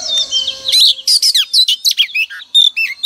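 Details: Female oriental magpie-robin song played each morning to spur males into singing: after faint whistles, a dense sequence of loud high chirps, sweeping slurs and short buzzy trills runs on for over two seconds.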